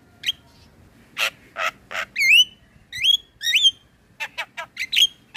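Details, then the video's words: Male Javan myna in full gacor song, a lure for teaching young birds: scattered harsh rasping notes alternating with ringing whistled phrases that swoop up and down, delivered in quick clusters with short pauses. "Suara Jalak kebo Jantan Gacor Isian Buat Jalak Kebo Bahan Ikut Bunyi"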